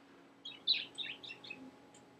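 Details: Pet talking budgerigar that has learned new words and laughter, heard here giving a few short, high chirps and warbles spread over about a second and a half in a quiet indoor setting.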